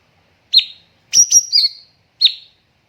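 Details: Cucak cungkok singing on a master training recording: sharp high whistled notes, a lone one, then a quick run of three slurred chips and another lone note, well spaced against a quiet background.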